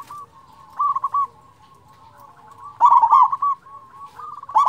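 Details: Big-voiced local zebra dove used as a decoy to make lazy doves sing: soft trilled coos build to a loud, bubbling phrase of clipped notes, then another phrase starts at the end.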